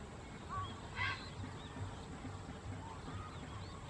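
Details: Grey heron giving a single harsh, rasping squawk near the start, recorded 12 October 2014; faint thin whistles of other birds and a low steady rumble fill the background.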